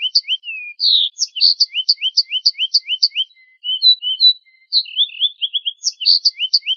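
A finch sings a fast, bright twittering song of short upslurred chirps repeated several times a second, with buzzy high trills between phrases.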